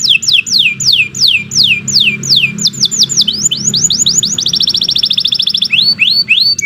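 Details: Canary singing a long practice song for training other birds: repeated sweeping notes falling from high to middle pitch, a rising series, then a tight even trill and more slurred whistles, over a soft low hum.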